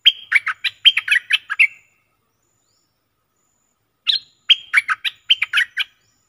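A bulbul sings two bursts of about seven quick, bubbly chirped notes, bouncing up and down, with a few seconds of silence between them.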